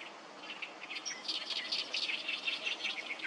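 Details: Oriental reed warblers chorusing at Sawatari River, 7 June 2024; harsh, scratchy notes repeated quickly, several birds overlapping in a loud chattering din.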